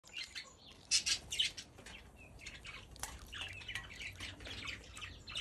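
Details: A pair of Major Mitchell's cockatoos playing with ice in an outdoor aviary give a loud burst of harsh, scratchy squawks near the start, followed by softer rasping notes and chatter.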